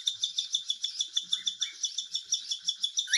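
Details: Cockatiel begging while hand-fed: a steady train of high, buzzy pulses repeated about three times a second, with a short rising squeak midway and another at the close.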